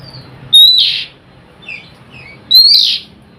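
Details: Oriental magpie-robin singing in the nyrecet style, used as a lure to get silent magpie-robins singing: two loud rising whistles, each ending in a harsh rasping burst, about two seconds apart, with soft chirps between them.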